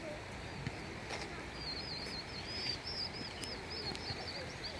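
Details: Vinous-throated parrotbill, seen in June and constantly restless, gives thin, high, rapidly wavering chatter through the second half, over steady outdoor noise and what may be a faint voice.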